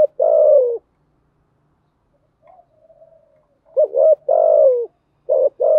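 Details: Spotted dove coo used as a lure call: low hooting phrases near 500–600, a short double note then a long drawn coo falling at the end, repeated with gaps; faint soft twitter between phrases.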